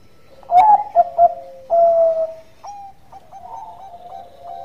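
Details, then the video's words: Bangkok zebra dove singing freely as a lure: a sharp rising note, two clipped coos and a long steady coo, then softer repeated coos from neighbouring doves. "Perkutut Bangkok Gacor Suara Santai tapi Merdu Pancingan"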